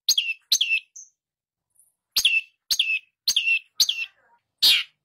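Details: Long-tailed Shrike tutor recording used to stimulate shrikes that have stopped singing: harsh, scratchy notes that each start with a click and slur downward, about twice a second, ending in a rough buzz.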